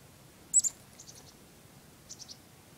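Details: A chickadee being hand-fed outdoors in cold weather gives two sharp, very high notes, then two quick runs of faint, thin, descending tsee notes, against a quiet background hiss.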